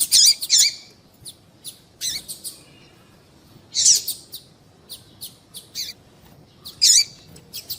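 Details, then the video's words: Female double-collared seedeater giving calls meant to trigger male song: loud squeaky high notes every few seconds, interspersed with quick thin ticks and short chirp runs, over a quiet background. "Piado de Fêmea de Papa capim"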